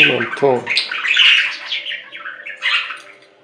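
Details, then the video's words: Budgerigar warbling and squawking in a grating flow of notes, opened by a couple of short, lower voice-like sounds. "Budgie Sounds"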